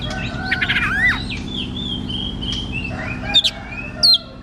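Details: White-rumped shama in captivity, singing as encouragement for a silent shama: a fast downslurred twitter, then softer drawn-out whistles and a couple of sharp high notes, over a low hum.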